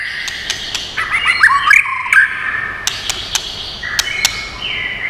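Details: White-rumped shama song for training and stimulating birds. Fairly soft warbled whistles mixed with scattered sharp ticks and some squawky notes, heard over steady background noise.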